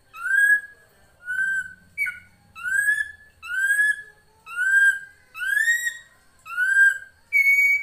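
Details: Srigunting krantil drongo on a songbird training recording: a steady series of clear, ringing whistles, each slightly rising then level, about one per second, ending on a higher flat whistle.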